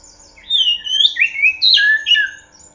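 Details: Oriental magpie-robin lure song: rich, loud whistles in a continuous run of long slurred notes, some gliding down, others bending up, with a sharp accent in the middle. The room is otherwise quiet.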